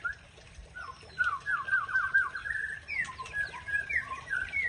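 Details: A white-rumped shama (Murai Aceh) sings to provoke a rival: a quiet start, then a chain of rapid slurred whistles followed by varied rising notes. The song is moderately loud over background hiss.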